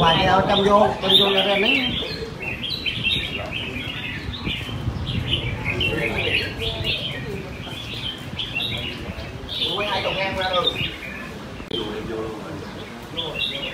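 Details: Red-whiskered bulbuls at a caged singing competition at a bird ground in Quy Nhon, Vietnam, on a Sunday morning, 21 June 2020: bright, quick whistled phrases rise and fall over a steady murmur of people talking nearby.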